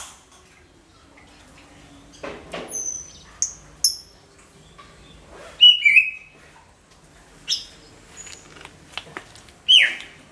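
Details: Greater green leafbird song used as a lure for all kinds of birds: loud, sharp whistled notes and rich slurred phrases in bursts every second or two, some dropping from high to mid pitch, with quiet gaps between.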